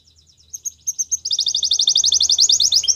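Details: Belgian canary singing as a champion: soft spaced high chirps building into a loud, fast, even trill; a low steady hum sounds in the background.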